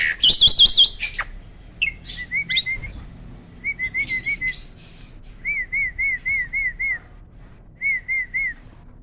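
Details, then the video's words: Contest starling with a loud, melodious song: a fast trilled warble opens, then short scratchy notes and evenly spaced looping whistles in groups of five and three. "BURUNG SELALU JUARA || SPEED TEMBAKAN LANTANG"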